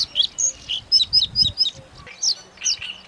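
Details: Singing and chirping from a Bluethroat: quick high chirps and short downslurred notes in an uneven stuttering series, a brief pause, then a few louder ringing notes.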